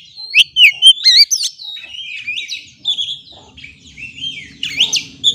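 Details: Oriental magpie-robin (kacer) song used as a lure to make stressed birds sing: bright varied whistles, rising and falling slurs and quick chirps in loud bursts, with a faint low rumble later.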